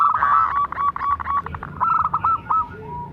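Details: Local zebra dove used to draw other doves into singing, delivering a dense run of quick cooing notes with rolling trills, ending in a softer drawn-out note.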